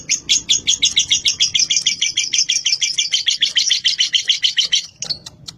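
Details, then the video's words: Lovebird giving a fast run of shrill, metallic chirps repeated about three times a second for five seconds, then a few scattered squeaks, with a faint low hum beneath. "Lovebird Calling Sound"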